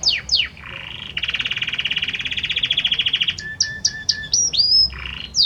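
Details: Male Belgian canary singing to his female; downslurred whistles open into a long rolling buzzy trill, followed by short chips and upward whistles.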